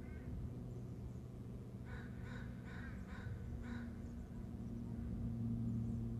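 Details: Bald eagle calling just before landing on a perch, picked up by a camera: a quick run of five sharp, piping notes in under two seconds, then quiet, over a steady low mechanical hum throughout.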